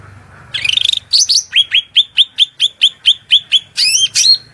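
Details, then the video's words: Cucak rante in shrill, lively masteran song, over flowing water, with fill-in phrases of murai, cucak ijo, kacer and cendet: a brief buzzy trill, then a fast run of sharp upslurred whistled notes about eight per second, ending in looping whistles. "MASTERAN SUARA MELENGKING CUCAK RANTE GACOR FULL isian Materi mewah"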